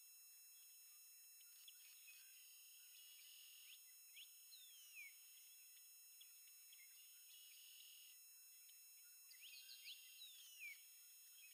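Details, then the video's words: Blue-gray Gnatcatcher (Polioptila caerulea) preening and singing at Montrose Point, Chicago: a faint, thin song of high wheezy notes, buzzy scratchy bursts and quick downslurred squeaks, over a steady high-pitched whine. "BLUE-GRAY GNATCATCHER preening, singing"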